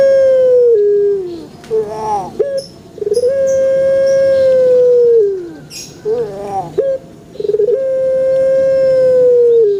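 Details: Repeated calling from a male collared dove (puter), meant to get other doves cooing: long level tonal coos about two seconds each that droop at the end, linked by short, broken rising notes.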